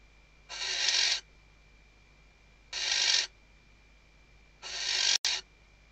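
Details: On a webcam in the Ebro Delta's Riet Vell Nature Reserve, Tarragona, Spain, a female Western barn owl stuffing her nest calls the male in 2023: three loud hoarse hissing screams, roughly two seconds apart, one ending in a sharp click.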